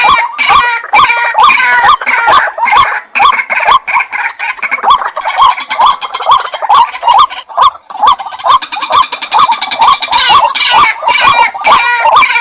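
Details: Dense, nonstop chorus of white-breasted waterhen (jal murgi) calls: quick croaking notes tumble over one another, with rasping, higher layered chatter swelling in the middle and near the end.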